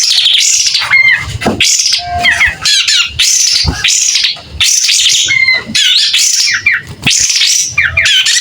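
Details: Caged kapas tembak singing vigorously while fanning its tail, with a clear voice: loud bursts of harsh, scratchy high notes and quick twisting whistles, mixed with short squawk-like phrases, in rapid, almost continuous succession.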